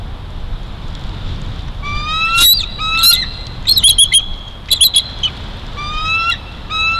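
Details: Juvenile bald eagle in Big Bear Valley, 5 December 2022, stealing food: a string of whistled squealing notes mixed with sharp harsh squawks and clattering bursts in the middle, ending with two more level whines, over a low outdoor hum.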